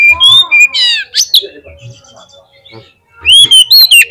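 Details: Oriental magpie-robin song for luring a bird into singing: bright whistles and buzzy harmonic notes, a quieter gap with low knocks, then another loud burst of slurred whistles.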